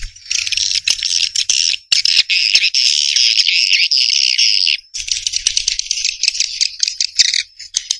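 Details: Swiftlets chattering: a long, continuous high buzzy twitter, briefly pausing near the middle, then resuming as choppier clicking trills.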